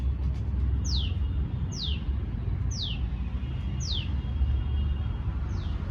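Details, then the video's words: A tailorbird gives a long call of sharp, high notes that slide steeply downward, repeated about once a second, over a steady low rumble of traffic. "Tailorbird sound| Call"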